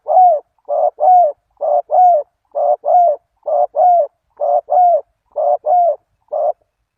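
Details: Spotted dove call used to lure wild doves: a fast, steady run of short hollow coos, mostly in pairs, about thirteen notes in six and a half seconds, with no other sounds.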